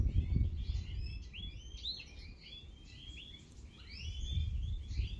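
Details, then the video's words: European goldfinches in an aviary twittering with light, liquid warbles and short rising trills, fairly quiet against a steady low rumble of background noise. "Che bellezza"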